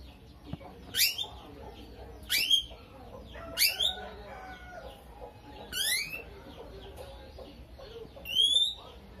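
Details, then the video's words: Lovebird, kept as a fighter and tutored with starling imitations, gives five sharp rising shrieky chirps spaced about one and a half to two seconds apart, with faint twittering in between. "BURUNGnya LOVEBIRD,suara unik"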